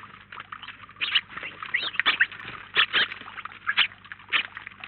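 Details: A flock of roughly nineteen house sparrows at a feeder in Collado Villalba chatters steadily: overlapping harsh chirps and cheeps, with louder bursts clustered around one to four seconds.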